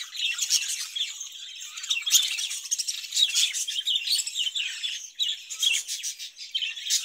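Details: Caged budgerigars produce a busy warble of chirps and squawky notes, punctuated by sharp, clicking bursts, with the chatter rising and falling in intensity.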